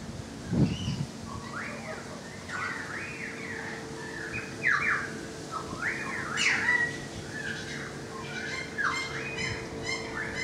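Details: Currawong singing from near a balcony: loud rising and falling whistled phrases with rich, ringing tones repeated through the recording, a few high sharp notes near the end, and a low thump early on.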